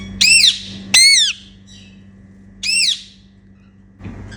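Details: Pet Indian ringneck parakeet making happy sounds during playtime indoors: three loud, harsh arched squawks, two close together then one after a pause, over a faint steady room hum.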